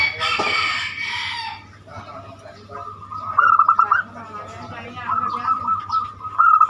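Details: Zebra dove in banyumili song style, a lure to make other birds sing: a human voice opens, then clipped bursts of fast pulsed cooing come twice, against a faint continuous hum.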